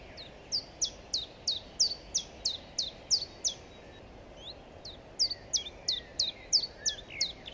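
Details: A Common Chiffchaff, a short-distance migrant back in Germany in large numbers from March, sings its monotonous two-syllable chiff-chaff song, high downslurred notes about three per second in two bursts, over faint background hiss.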